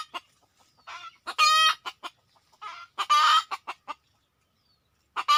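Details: Red junglefowl approaching during a luring session: soft clucks building to a loud, nasal, ringing squawk, then more clucks and a second harsh squawk, ending in a single sharp note.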